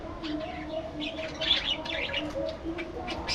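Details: Budgerigars chattering: bursts of quick, scratchy high chirps and warbles, loudest mid-clip, over a steady low hum and faint droning tones.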